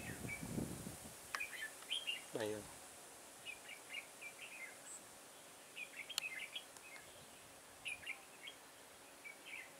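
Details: Red-whiskered bulbul decoy in a garden trap, 9 October 2017, giving spaced bursts of quick warbled whistles every second or two, with a thud at the start, a brief rasping sound and sharp clicks.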